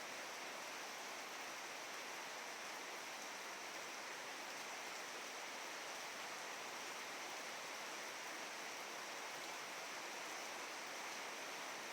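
Only a steady, dense hiss of falling rain or rushing water, unchanging throughout, with no animal calls.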